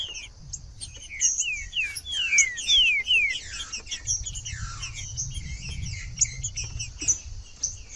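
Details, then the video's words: Green-winged saltator singing, for use in warming up a reluctant, cold bird: a burst of clear descending whistled notes in quick succession, then softer, overlapping slurred phrases over a constant high hiss and low background rumble. "ESQUENTAR TRINCA FERRO FRIO / TRINCAFERRO/TRINCA-FERRO CANTANDO FRIO"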